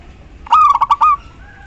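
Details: Single cooing phrase from a local female zebra dove calling the male, a rapid run of four or five pulsed hoots flowing into a drawn-out final note.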